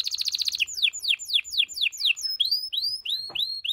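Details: Canary mating song: a quick high trill gives way to a series of loud downward-sweeping whistled notes about four per second, ending in rising upslurred notes.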